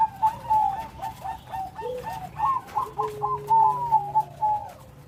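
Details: Big-voiced Bangkok zebra dove singing in full rhythm: a chain of short, stuttering coos, a dip to a lower tone, then a held low note beneath rapid bright trills.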